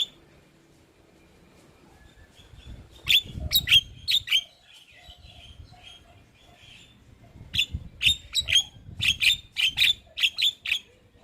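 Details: Javan myna song used as a lure to get silent or stressed mynas singing: bursts of sharp, high chirps in quick uneven runs, a short group near three seconds and a longer rapid series after seven seconds, with faint low rumble.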